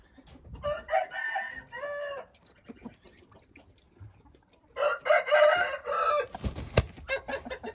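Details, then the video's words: Two Hint rooster crows, each harsh and prolonged, with a quiet gap of scattered clucks between them and sharp knocks after the second. "Hint Horozu"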